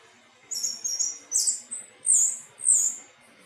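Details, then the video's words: Anis teleng thrush giving very high, thin squeaky notes and buzzy chirps in quick succession, ending with two louder sharp slurred squeals. "Burung anis teleng suara merdu"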